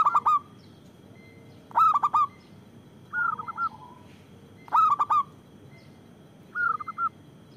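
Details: Local zebra dove with a loud voice, used for luring and prompting: loud three-to-four-note cooing phrases repeated roughly every one and a half seconds, with softer, shorter cooing phrases between.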